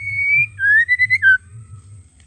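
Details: A female White-rumped shama gives its male-triggering call once: a level whistle, then a rising whistled note broken into quick pulses, closing on a short lower falling note, with a low hum behind.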